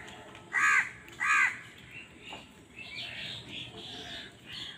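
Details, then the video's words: Crow fighting for food: two loud harsh caws in quick succession, then fainter mixed bird chatter and background murmur. "Crow Bird Crowing Sound || Crow ki Awaz part 68 || Crow Bird Fight for Food"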